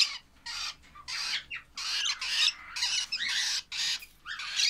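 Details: Young lovebirds producing rough, rasping squawks in repeated bursts of about half a second, nearly continuous across the recording.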